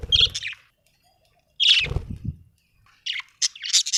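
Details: Pet budgerigars at home: bursts of harsh squawks separated by pauses, with low thudding noise under the second burst and a quick series of raspy calls at the end.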